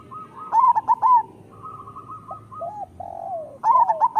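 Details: Rippling zebra dove song from a local bird, meant to train and stimulate silent or moulting doves: a loud phrase of quick bent coos, a soft trill and low coos, then another loud phrase.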